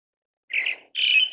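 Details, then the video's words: Pale thrush (Turdus pallidus) uttering two clear notes: a brief wavering one, then a longer, steadier whistle. The surroundings are otherwise silent. "白腹鶇/ Pale Thrush"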